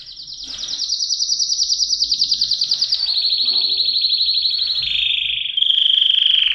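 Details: Canary singing a fast, buzzy, pulsed trill held high, dropping in pitch in several steps, then finishing on a clear, steady whistled tone.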